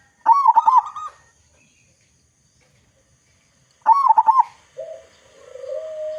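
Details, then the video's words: Zebra dove, a loud local Indonesian bird used as a lure to get other doves singing quickly: two quick bursts of rolling staccato coos separated by silence, the second followed by a low, level drawn-out note. "Perkutut Lokal Gacor Suara Besar Cocok Untuk Pancingan Semua Jenis Burung Perkutut Agar Cepat Bunyi"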